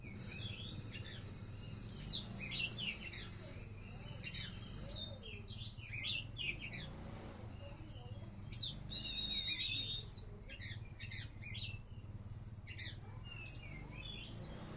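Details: White-rumped shama competition bird from Talang Jambe, Palembang, singing a rapid varied stream of high whistles, chips and slurred notes, with a strong low hum throughout.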